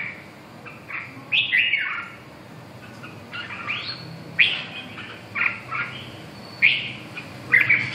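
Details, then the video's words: Red-whiskered bulbul singing scattered short whistled phrases, rising and falling slurs separated by quiet gaps of about a second, over a soft low hum. "Kênh về chim Chào mào"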